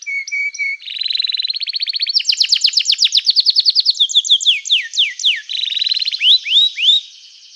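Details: Lively canary song intended to make other canaries reply and to help canaries that have stopped singing: a few short flat whistles, then fast rattling trills and rapid looping high sweeps, changing phrase every second or two.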